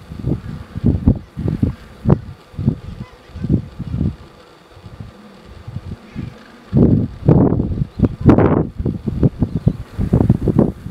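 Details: Gentoo penguins walking in a colony on Carcass Island, Falkland Islands, in January 2012 give harsh, pulsing, braying calls in rapid throbbing bursts, with a pause before a louder chorus; other colony birds call behind.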